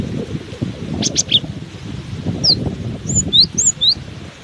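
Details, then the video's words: Cinereous tit in strong wind: after some fluttering and rustling, a handful of high downslurred whistles and paired notes emerge, partly buried in loud gusty wind. "Diterpa angin kencang! burung gelatik batu ini tetap gacor"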